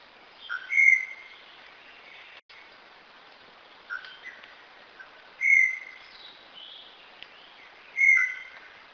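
Brown Tinamou giving clear, slightly tremulous whistles near two kilohertz, spaced a few seconds apart, with fainter notes between, over steady background hiss.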